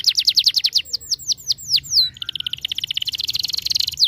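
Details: Canary song meant to stimulate a lazy canary to sing: a series of about fifteen sweeping, down-slurred whistles, then a long, fast, buzzy trill of rapidly repeated notes.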